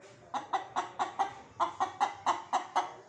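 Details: Chicken clucking in a steady rhythm, about eleven short, sharp clucks in three seconds, evenly spaced with brief pauses between. Quiet background.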